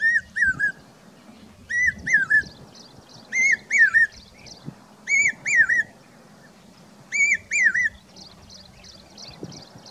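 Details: In Rajasthan, a common hawk-cuckoo on summer migration repeats loud whistled three-note phrases, each note rising then dropping, the series coming roughly every one and a half seconds against faint background rustle.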